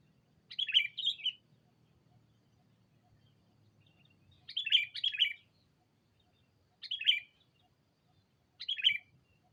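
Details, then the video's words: Sooty-headed bulbul used as a decoy, calling to a rival: four bursts of lively, bubbly chirped notes, some doubled, separated by gaps of about two seconds, with a soft low hum beneath. "Suara burung Pikat kutilang memanggil lawan"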